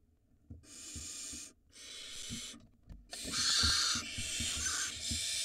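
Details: Barn owls at a nest in Israel, filmed by a live 4K nest camera in 2022 as the male passes a mouse to the female for their nestling. Harsh broadband hisses come in three bursts, the last long and loudest, over faint low rumbling.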